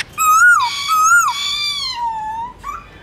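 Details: Black-throated laughingthrush sings forest song for training young birds in the morning: loud, clear whistles rising and dipping in two arches, then a long gently falling tone and a brief closing note.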